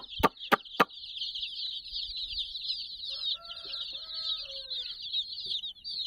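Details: Many fluffy chicks, about sixty, crowd around a cuddly toy, keeping up an unbroken chorus of shrill peeps; three sharp knocks open the recording and a few lower, drawn-out tones sound midway.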